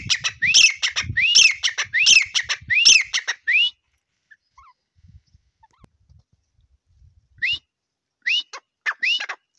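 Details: A grey francolin (Ortygornis pondicerianus) calls with loud, harsh, ringing notes in rapid rising phrases, a burst of about four in three seconds, then a pause and three more.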